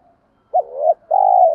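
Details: Spotted dove, male or female, giving a single two-part coo to stimulate birds in training: a quick rising note drawing out, then a sustained, level, mellow coo that falls away at the end.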